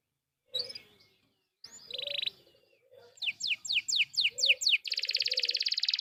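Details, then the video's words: Canary lure song to stir other canaries into singing, quieter, opening with scattered chirps and a short buzzy burst, then a run of quick downward sweeps ending in a long, even buzzing trill; some lower chirping underneath. "PANCINGAN KENARI GACOR"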